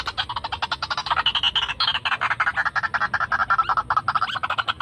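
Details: White-breasted waterhen lure call, played to attract wild birds: fast, dense chattering of rapid croaking pulses, about three per second, rolling on without pause and slowly falling in pitch.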